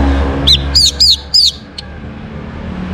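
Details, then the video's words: An orange-headed thrush gives four clear arched whistles in about a second, a sound used to draw other birds into song, followed by a faint click and low steady background rumble. "KICAUAN ANIS MERAH UNTUK PANCINGAN AGAR BURUNG IKUT BERKICAU NGEPLONG GACOR"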